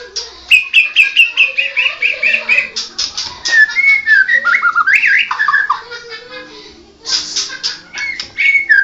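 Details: Medan 'blorok' white-rumped shama song: a run of evenly repeated clear whistled notes, then looping, bending whistles and a fresh burst of higher, scratchier notes toward the end.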